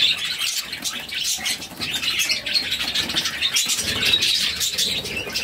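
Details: Six budgie babies call as the mother budgie feeds them; a continuous high rasping chatter rises and falls in loudness, with brief quieter gaps and occasional thin squeaks.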